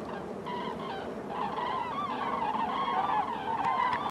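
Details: Common cranes, a flock of over 100 flying over Køge Harbour in Denmark, trumpeting continuously: a dense overlapping chorus of loud, rolling bugled notes that holds steady throughout, with a faint background hiss.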